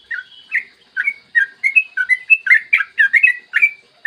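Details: Yellow-vented bulbul singing a long, clear rolling song in the morning, used as a lure so other bulbuls sing: bubbly whistled two- and three-note phrases, rising and falling, delivered about every half second in a lively stream.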